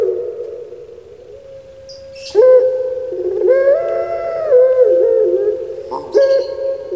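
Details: After a quiet start, a pet puter pelung turtle dove from Java, Indonesia, gives a sudden resonant coo that wavers into a long, rolling low phrase, then begins another near the end. Brief bright chirps from other birds are heard.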